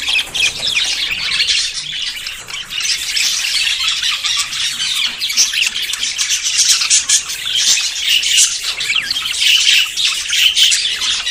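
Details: A flock of courting budgerigars about to breed squawks and chatters continuously, with scratchy calls and a few clearer whistled notes late on.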